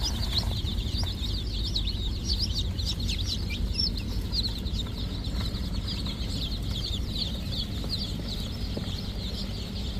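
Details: Farm chickens: rapid high-pitched wavering peeps repeated continuously over a loud, steady low rumble of background noise.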